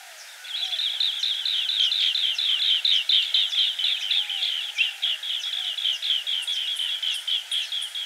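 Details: Green bee-eater calling: a dense, steady run of short chirping notes repeated rapidly for about eight seconds, with fainter high-pitched ticks near the end and no other clear sounds.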